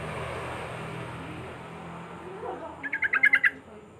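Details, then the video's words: Sooty-headed Bulbul (trucuk) in ropel singing style: after low background hum, a short, quick burst of about seven bright bubbling notes near the end. "Suara Trucuk"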